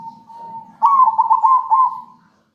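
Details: A captive zebra dove (perkutut), a lively singer recorded as a lure to prompt other birds, coos: a drawn-out level note, then about six quick, rolling, warbled mid-pitched coos, with a faint low hum behind.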